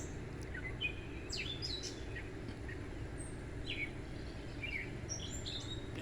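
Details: Gray catbird singing in a backyard at sunset in June, from a favourite spot where it sings much of the day and night: scattered short squeaky whistles and chips at varied pitches, over a steady low background rumble.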